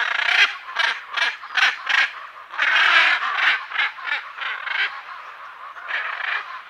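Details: {'text': 'Loud, rough squawks from a hyacinth macaw pair heard close to medium range, coming in irregular bunches, some calls overlapping into a longer burst near the middle, with background parrots and other birds.'}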